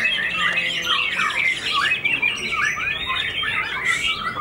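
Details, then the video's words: White-rumped shama after its moult, a white-tailed fighter that took first place at a singing contest; quick, looping whistles and sharp chattering notes pour out without pause. "BOMAT MB UNIK SUPER FIGHTER PASCA MABUNG NGAMUK PODIUM SATU"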